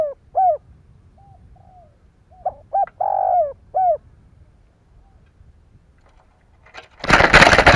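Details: Spotted dove calling to excite other doves: short coos, then one phrase of quick notes, a long throaty coo and a falling end note, followed by a sudden loud burst of rustling noise.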